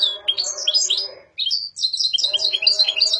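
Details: European goldfinch, a kept bird, delivering rapid tinkling twitters in two bursts separated by a brief pause, with a low steady hum beneath.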